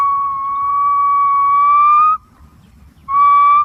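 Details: Green pigeon voicing a long, pure whistle that creeps slowly higher over two seconds, then after a pause one shorter level whistle; no other sounds.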